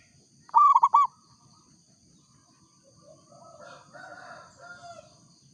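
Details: Local zebra dove singing: a quick burst of four clipped, rolling coo notes, then soft, low murmuring sounds and a steady faint hum in the background.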